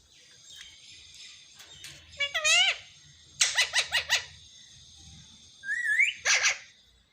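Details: Talking pet parrot known for saying "mummy mummy", recorded in a small room: a wavering syllable, then a quick run of four clipped, speech-like notes, then a rising squeak and a final short burst, against a constant high hiss.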